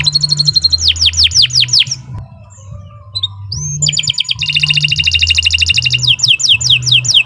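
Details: Canary singing a training master song: slurred whistled notes, a quiet interval, then rich rapid trills and sweeping notes, over a steady low droning hum.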